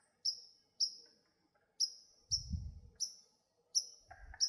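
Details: A White-throated Sparrow gives a steady series of sharp, explosive chink calls on a marsh trail in July, seven within about four seconds, with a brief low thump and another lower chirp in the background.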